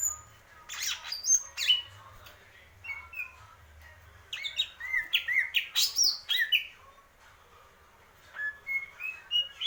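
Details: Greater green leafbird, a purwo mendem gadong style singer, giving a varied song of sharp whistled notes and fast upslurred and downslurred chips in bursts, with short pauses between phrases.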